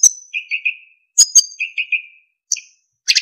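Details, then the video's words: Narcissus flycatcher tutor song for training songbirds: clear whistled notes held at a steady pitch, sometimes doubled, with sharp high chips between them, in clean, quiet surroundings. "MASTERAN BURUNG SIKATAN EMAS GACOR FULL ISIAN & SULINGAN JERNIH"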